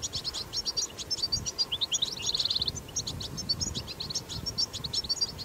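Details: European goldfinch in the wild singing a strong, dense twitter: rapid high chirps, a fast buzzy trill around two seconds, and bright tinkling notes, with low rumbling background noise.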